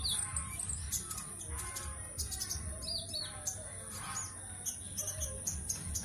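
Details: Caged konin from Singkawang, West Kalimantan, Indonesia, singing for an online song competition: scattered high chirps and short whistled slurs, some falling and rising, over steady low hum and a constant high electrical whine.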